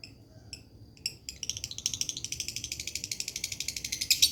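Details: Lovebird lure song in a dry voice: a few scattered sharp high clicks, then a fast, even chattering trill that builds steadily in loudness, ending in especially shrill notes.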